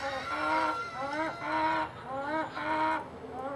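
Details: Hen making a strange noise of unknown cause, a harmonic, nasal call in drawn-out phrases of about half a second, wavering and slightly rising, repeated roughly every second with steady background hum.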